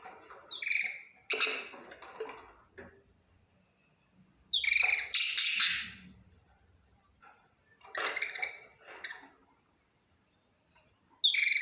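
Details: Budgerigar calling in clusters of rapid, buzzy, harmonic chirps, each burst one to two seconds long and separated by short silent gaps, with a louder, harsher chattering stretch in the middle.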